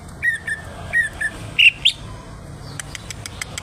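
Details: Cucak ijo, the greater green leafbird, in active song: short separate whistled chips, then two louder, higher notes that bend upward, followed by a row of faint ticking clicks.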